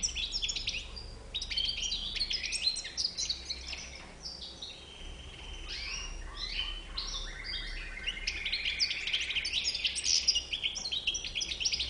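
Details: European goldfinch with a white bib in a long run of rapid, jangling twitters and chirps; a steadier buzzy trill appears near the end, over some background noise.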